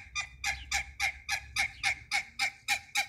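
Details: In a backyard farm where a mallard pair meets hybrid runner ducks, a duck gives a quick, even run of harsh, nasal quacks, about eleven in three seconds, over a faint low rumble.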